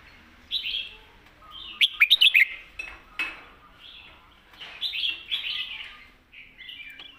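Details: Competition Red-whiskered Bulbul in full master song, thick-voiced: rich rolling warbles and bubbly notes in phrases separated by short pauses, with a burst of sharp clicks near the start.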